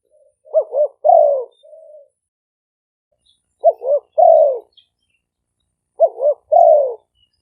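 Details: Spotted dove decoy bird recorded live in Roi Et, Thailand. Three clear phrases come roughly every 2.5 seconds, each two quick wavering notes and a long hoarse falling coo, in an otherwise quiet setting.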